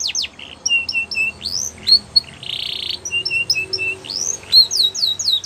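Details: Belgian canary song for training young canaries, mixing flat chirping whistles, upswept slurs and a short harsh buzzy rattle in the middle, delivered in quick varied phrases.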